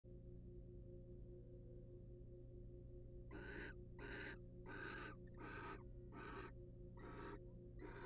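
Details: Wild barn owls in a nest box, the male preening the female's feathers; after three seconds of steady electrical hum, seven harsh, breathy hissing bursts follow, roughly every 0.7 seconds.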